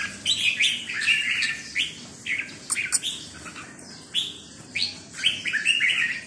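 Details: Red-whiskered bulbul, counted-notes song style: bright, slurred whistled notes in short quick phrases, some falling and some rising, with brief pauses between them and soft background chatter.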